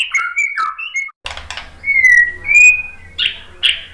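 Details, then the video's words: White-rumped shama song meant to set another bird singing: short whistled phrases, a brief break, then drawn-out slurred whistles and harsh bursts. "KICAUAN MURAI BATU merangsang BUNYI jadi NYAUT GACOR NGEPLONG BONGKAR ISIAN ¦ PANCINGAN MURAI"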